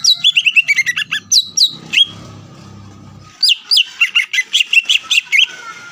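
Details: Caged greater green leafbird in full song meant to stir a rival bird to sing: quick runs of sharp descending whistles, a pause with faint low background rumble, then another fast string of clear chirped notes.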